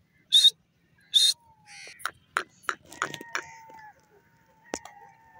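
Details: Grey francolin calling: two loud, harsh, high-pitched bursts in the first second and a half, followed by softer scattered clicks and notes with thin whistled tones running through the background.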